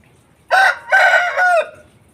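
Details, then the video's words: Aseel rooster crowing: a loud, harsh three-part crow with a short first note, a longer sustained middle and a falling drawn-out end, lasting just over a second against a quiet background. "Aseel Roosters Crowing"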